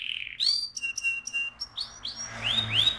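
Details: AF canary in lively ngerol-style singing: a rising buzzy note, short clipped whistles on a steady pitch, then upward-sweeping arched whistles repeated in quick succession over a faint low hum.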